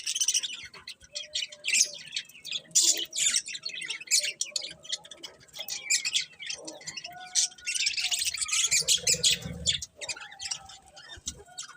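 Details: Budgerigars keep up a lively chorus of sharp chirps, clicks and warbled phrases in repeated bursts, with a short low rumble near the end.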